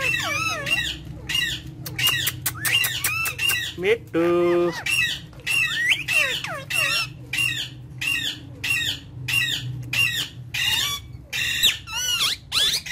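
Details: Parrots of a talking family, playing and speaking Urdu and Hindi, chatter in rapid, rich looping syllables and squawks, broken once by a steady buzzing tone midway.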